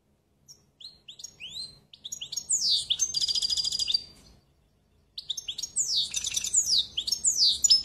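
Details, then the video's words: European goldfinch, apparently caged, singing a fast twittering song of high chirps and sweeping slurred notes, with a dense buzzy trill near the middle, a short pause, then a further burst of tumbling twitters. "Très beau Chant"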